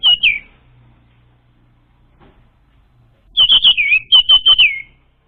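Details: Orange-headed thrush singing, played to draw out an untrained bird: a short whistled fragment, a three-second pause, then a rich burst of about eight rapid, slurred whistles, several falling in pitch.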